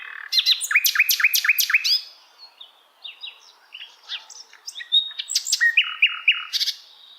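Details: Asian brown flycatcher song as tutor material for songbirds: a run of five or six loud, falling chips, soft scattered twitters, then a lower chain of repeated notes.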